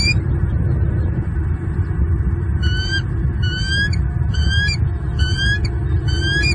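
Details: Wild male bald eagle in Southwest Florida, February 10, 2023, morning, hollering from the nest at an intruder to protect his two chicks; a run of sharp upslurred squeaky notes, roughly two per second, over constant low wind-like rumble.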